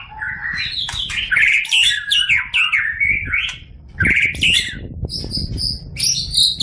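A green leafbird sings a rich, fast warble of slurred whistles and chattering notes, pauses briefly, then gives higher, clear whistled phrases.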